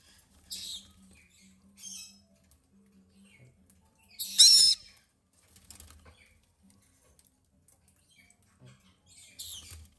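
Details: Young captive White-bellied caique chicks begging while hand-fed: harsh, raspy, hissing bursts, about five in ten seconds, one much louder, over a faint low hum.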